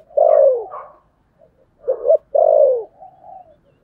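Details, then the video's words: Spotted dove of the 'thổ sấm' voice style cooing in thúc gù fashion: a loud sliding coo, a brief pause, a clipped two-part note, then another strong falling coo trailing into a soft murmur. "cu gáy giọng thổ sấm thúc gù"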